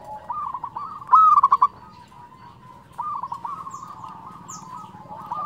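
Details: Local zebra dove with a fluted song: one loud phrase of a rising whistle and quick bubbling coos, then quieter cooing phrases, with faint high chirps in the background.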